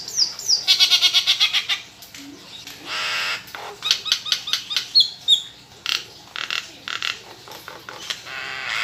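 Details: Captive Nias hill myna in full varied song, used as a lure to prompt other birds to sing: bursts of loud harsh rasping notes and rapid repeated chattering phrases broken by short gaps, with a few brief whistles.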